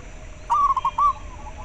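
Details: A single brief zebra dove phrase: three or four quick clipped coo notes ending in a longer drawn note. The call is meant to stimulate captive doves and lure wild ones.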